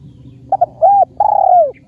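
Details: Khmer spotted dove giving a short cooing burst: two quick clipped notes, an arched coo and a long, drawn, gently falling coo. A constant low rumble sits in the background.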